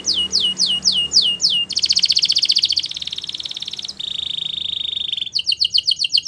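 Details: Belgian canary, singing to train young canaries: a string of sweeping notes, then long fast buzzing trills at steady pitch, ending in quick repeated chips.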